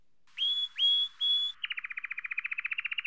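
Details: Male Belgian canary giving its spring courtship song: three clear rising whistles, then a fast, even trill of bright buzzy notes, about eight per second.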